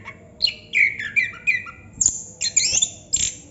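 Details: Chestnut-capped thrush singing in ngerol style: slurred descending whistles followed by a burst of high, squeaky, tumbling phrases.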